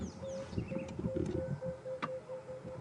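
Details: Emerald-spotted wood dove calling from a tree on a sunset safari drive near Manyeleti, 18 January 2015, giving a series of soft, low, even hoots, about seven in under three seconds, over engine rumble and a man talking.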